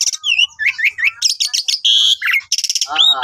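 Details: Short burst from a constantly singing Asian pied starling's master song: quick upslurred chirps, a loud buzzy rasp, a steady high rattle and a closing descending warble, with no other sounds.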